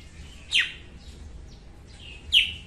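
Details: Female red-whiskered bulbul in the morning, a recording used for training and luring birds to traps: two sharp, downslurred whistles nearly two seconds apart, with faint twittering between them.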